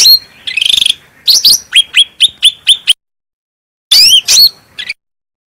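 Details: Cucak rante bulbul in full song, kept as a training master recording: loud, clear whistled notes sweeping upward, a fast burst of five sharp whistles, a pause of about a second, then a brief closing flourish.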